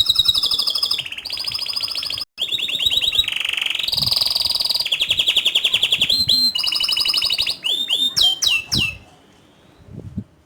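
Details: Canary in full, energetic song with rolling trills and sharp high notes: long buzzy trilled phrases steady near one pitch, shifting between levels, then quick rising and falling whistled sweeps before a short pause.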